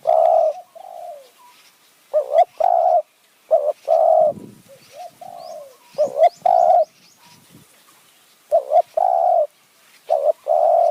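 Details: Spotted dove calling in khu ang and nun ang styles while luring wild doves in high forest near Kanchanaburi, Thailand. Coo phrases repeat about every two seconds: short paired notes before a longer even coo, with softer answering coos between them.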